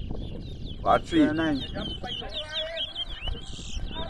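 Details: Towa towa, or chestnut-bellied seed finch, singing during a bird competition at Rosignol, Berbice, Guyana; a rapid twittering, warbled phrase continues under a loud human voice near the start, with background crowd murmur.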